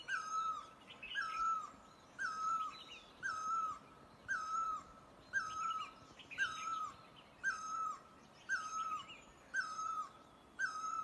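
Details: A Great Barbet in Asia gives a loud, mewing, down-slurred note, repeated steadily about once a second, against a soft background hiss.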